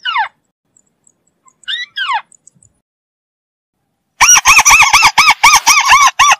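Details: White-browed crake (Matang Bayani, Tikling Kabayo) calling: a few short falling squeals, a pause, then a fast, harsh chatter of arched, nasal notes repeated about four times a second.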